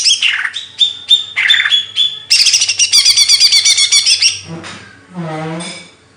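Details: Singing bird delivers falling whistled notes and steady pure tones, then a long rapid chattering trill; a low harsh squawk-like sound closes the passage.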